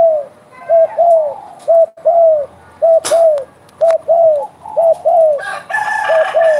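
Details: Spotted dove calling strongly with rhythmic low coo pairs, each a brief note followed by a longer descending hoot. A sharp knock breaks in midway, and rustling noise and a higher tone appear toward the end.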